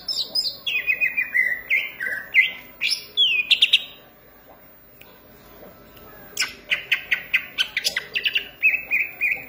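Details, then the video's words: Vigorous song of a Green leafbird: a string of clear whistled notes stepping down in pitch, a short silence, then a fast stuttering chatter ending in repeated whistles. "cucak ijo gacor manteb banget"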